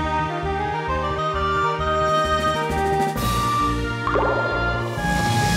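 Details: Rhythmic instrumental music with a pulsing bass line fills the whole stretch, with no animal sounds.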